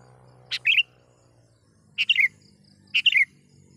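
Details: Three bright, bubbling phrases from a sooty-headed bulbul calling wild birds, each a click then a tumble of warbled chirps, about a second apart over a low background hum.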